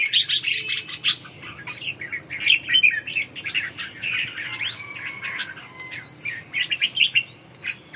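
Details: Song of red-whiskered bulbuls, played to aid recovery from coughing and breathing trouble. Dense chattering phrases, then several clear upswept whistles repeated toward the end.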